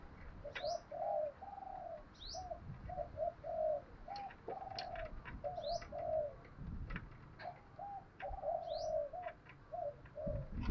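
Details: Spotted dove cooing outdoors in a recording meant to train decoys. A steady run of low, rounded coo notes in short groups repeats against hissing background noise, with brief high chirps from other birds.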